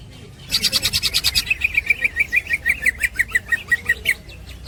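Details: Cucak ijo, the green leafbird, in a 'ngekek' master song for training birds: after a quiet start, a dense buzzy trill gives way to a steady chain of clipped, slightly rising chips.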